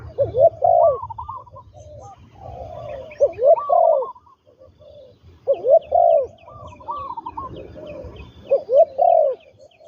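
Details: Spotted dove, a trained decoy bird used for ground luring, giving low hoarse coos in phrases of two or three notes, in two bursts about five seconds apart, with faint high chirping birds behind.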